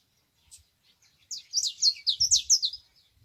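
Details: Wild canary in a natural setting sings a brief, rapid string of high, sweet chirps and buzzy slurs. A soft low thumping is heard under the middle of the phrase.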